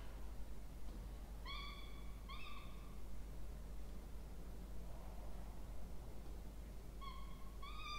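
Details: Peregrine falcon chicks at their nest in Orange, New South Wales, Australia, on 20 October 2024, begging as they are fed. Two rasping whines around the second and third seconds, a long gap, then two more near the end.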